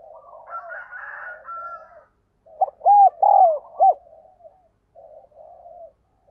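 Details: Urging 'gáy thúc' call of a decoy spotted dove meant to draw wild doves: soft background cooing, then one loud phrase of three hollow coos, the middle longest, then quieter coos again.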